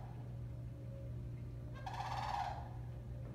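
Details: Florida sandhill crane during courtship: one loud, rolling, trumpeting call lasting under a second, over a steady low mechanical hum.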